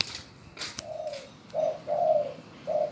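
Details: Obedient spotted dove cooing on command: four low, smooth hooting notes, the middle pair joined, following some brief rustling noises.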